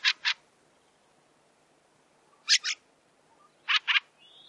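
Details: Fieldfare, known in older German as Krammetsvogel, recorded in 2017: harsh, grating calls in pairs, chack-chack, repeated three times about a second and a half apart over a quiet background.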